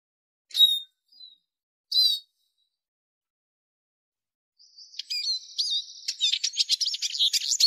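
Arabian babbler: two sharp, high chirps a second apart, then after a pause a fast, jumbled chatter of high twittering notes.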